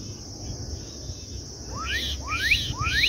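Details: At Lago do Búfalo a Black-capped Donacobius (japacanim) starts up after a quiet moment with three upward-sweeping whistled notes in steady succession, backed by a continuous high buzz and soft low noise.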